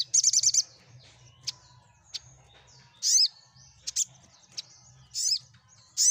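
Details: Sogok ontong sunbird song for prompting quiet birds to answer: opens with a quick high rattling trill, then scattered thin ticks and several loud down-slurred chirps, over a soft low hum.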